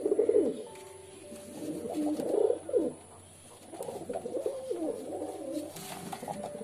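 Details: Pigeon cooing indoors: low, throaty rolling coos in uneven bursts, one near the start, another around two to three seconds, then a longer murmuring stretch, with faint room hum behind.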